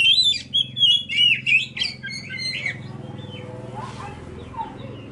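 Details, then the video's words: Oriental magpie-robin song used as bait to provoke other birds into singing: rich whistled and warbled phrases with sharp high notes during the first two seconds, then quieter trailing notes over a steady low hum. "pancingan kacer"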